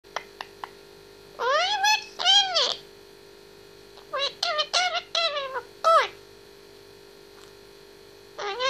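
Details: Pet grey parrot, 18 months old, talking and singing indoors: short clicks, then harmonic swooping and meow-like calls in bursts, rising and falling, a quieter pause, then a run of similar squeaky sweeps and speech-like sounds.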